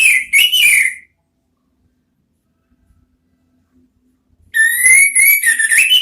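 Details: Orange-headed thrush (anis merah) kept as a training bird, singing in the ngeriwik style: loud whistled phrases around the upper-middle range, a short burst, a long silence, then a longer warbling phrase with rising and falling notes.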